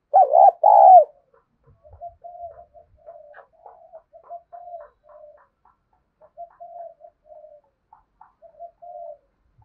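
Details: Spotted dove cooing to lure: a loud, throaty two-part coo opens, followed by a long run of quieter, short, evenly spaced coos, about two each second.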